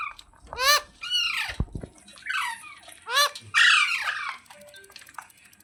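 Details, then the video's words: Pet ringneck parrot giving loud, harsh harmonic squawks, each arching up then sliding down, about five in under four seconds with short gaps, then quieter faint chatter. "Ringneck Parrot Sounds"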